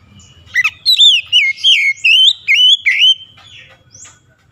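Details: Oriental magpie-robin (kacer) song meant to stir lazy birds into singing: a run of loud, clear, sharp whistled notes, slurred up and down around high pitch, about seven phrases in quick succession, then fading.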